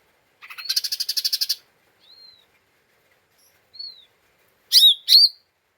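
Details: Agitated lesser green leafbird, 'ngeriwik' style used as a provoking lure: a fast buzzy rattle of about a dozen pulses, two soft slurred whistles, then a pair of loud harsh screeches.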